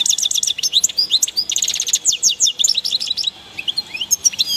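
European goldfinch giving rapid, liquid twittering with tinkling, high chirps and short rising slurs, a lively run of notes with no other sounds.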